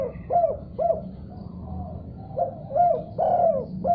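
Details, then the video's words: Spotted dove answering another call: two short coos, a pause, then another phrase of mellow, downward-curving coos ending in a longer drawn-out note, over a low background hum. "Tekukur Diam Seketika Langsung Respon Nyaut Gacor Setelah Dengar Suara Ini"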